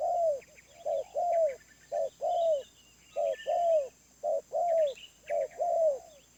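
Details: Wild spotted dove giving a medium-pitched voice: low, mellow coos in short-then-long pairs, each long note arching down, repeated about once a second. Faint thin chirps of other birds sit higher above.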